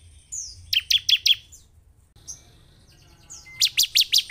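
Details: Bar-winged prinia singing in semi style, a lure to excite a caged bird: a thin high whistle leading into four ringing chirps, a pause with faint notes, then another quick string of sharp chips.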